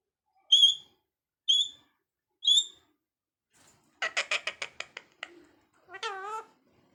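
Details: Parrot making three clear whistled notes about a second apart, then a rapid burst of rasping, clicking chatter and a final harsh, nasal squawk.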